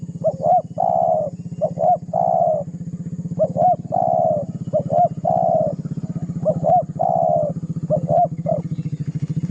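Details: Spotted dove giving a rival-provoking lure call over and over: each phrase is two quick hooked coos and a drawn-out burry coo, about six phrases in a row, with a constant low pulsing motor drone behind.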